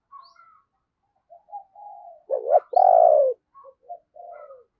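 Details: Spotted dove used as a lure, giving 'thúc' and 'gáy' calls to attract wild doves. Soft, low hummed notes build to two loud, harsh, deep coos, the second long and falling, then gentle trailing notes.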